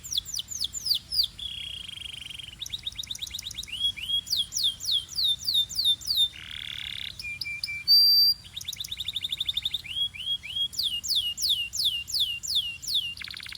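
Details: Belgian canary song while warming up, rapid sequences of downward-sweeping whistles alternating with short buzzy rolls and sharp high notes, phrases repeated several times a second with brief pauses.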